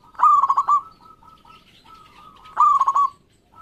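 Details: Two strong zebra dove song phrases about two and a half seconds apart, each a quick run of rolling, stuttered coos. Softer steady coos from other doves fill the gap. Local birds, used to stimulate quiet perkutut.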